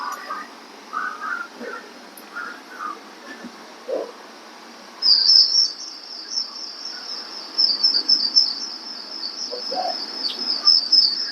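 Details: Rufous-eared Warbler at a Spekboom restoration site in Albany Subtropical Thicket, on a windy day: a thin, high, rapid piping trill running steadily for several seconds, after softer lower calls from another bird and light wind; three species audible.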